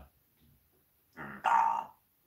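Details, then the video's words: Pet parrot that swears, talking with its owner during a live stream indoors: a brief low voiced murmur, then a louder, bright, harsh half-second utterance, with the owner's speech just around it. "Попугай матершинник говорит с хозяином в прямом эфире попугай ругается"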